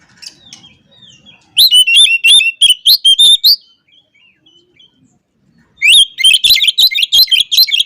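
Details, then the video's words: Oriental magpie-robin song used to call opponents and provoke rival birds, morning; two loud bursts of fast, rich, varied whistled and chattering phrases, split by a quiet pause with faint soft notes. "Kacer Lain Pasti Langsung Emosi Buka Ekor Kalau Dengar Suara Ini"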